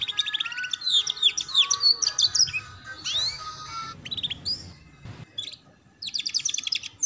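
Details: Masteran song for young canaries learning the ngeriwik sound: varied high twitters, downslurred whistles and quick trills, broken by a short pause and a click.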